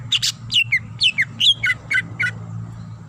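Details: Greater green leafbird female calling to a male: bright, clipped whistled chirps, some rising and some dropping, spaced irregularly every quarter second, with a faint low background drone.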